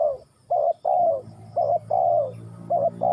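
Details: Spotted dove (cu gáy) from Ninh Thuận: mid-pitched cooing in repeated phrases, each one or two short clipped coos followed by a longer, gently falling coo, over a faint low hum.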